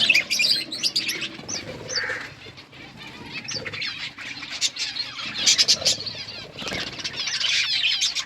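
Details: Several pet budgerigars chirping while eating food: a busy overlapping chatter of high, scratchy warbles and short rising chirps, with broadband bursts and rustling between calls.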